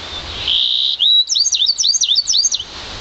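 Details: One-year-old Yarrell's siskin mule bred from an intensive green Fife canary, singing: a long thin steady whistle, then a rapid run of high twisting, looping notes about a second and a half long.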